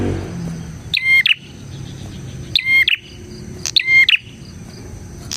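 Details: Vocal bar-winged prinia used to attract and train other prinias: three strident phrases, each a crackling click series with a flat whistled note, spaced about one to one and a half seconds apart, in a quiet background.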